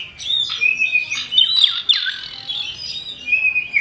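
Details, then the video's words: Male and female common iora (cipoh) singing, a lure to make birds sing: dense chattering of high chirps, with loud sweeping whistles that dive sharply downward in the middle, then a steady whistled note near the end. "Pancingan burung cipow dijamin cepat gacor // Cipoh Jantan & Betina Sirtu Jantan 100% Nyaut"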